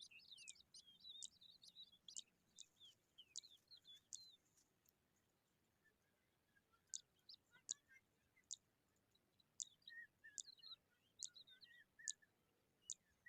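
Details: Eurasian skylark chicks out in the sun: soft, high, thin chirps in short bursts repeated about every half second to second, with a quieter gap midway, over faint low background hiss.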